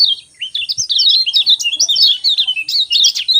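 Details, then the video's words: Morning 'ciak ciak' song of a Lemon-bellied white-eye, used to get sluggish birds singing: an almost unbroken stream of fast, sweet, high chirps and slurred twitters with brief pauses, over a faint constant high-pitched hum. "Ciak Ciak Joss Kecial Kuning Pagi Hari Bikin Kecial Kuning Malas Bunyi Cepat"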